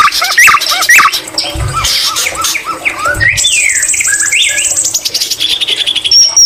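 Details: White-rumped shama singing a full, lively song filled with imitations of green leafbird: quick slurred whistles, swooping notes and buzzy trills. A long high sustained whistled phrase follows near the end.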